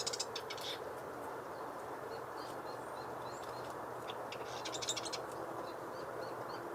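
Marsh Wren giving dry, rapid rattling bursts, like a sewing machine, in short runs at the start and again near the end, over steady background noise.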